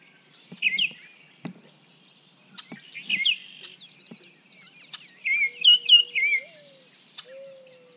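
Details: Baltimore Oriole recorded from 55 feet away in a comparison of shotgun, small parabolic and large parabolic microphones; rich whistled notes in short slurred phrases, clustered near the end, with sharp clicks and a faint low steady tone.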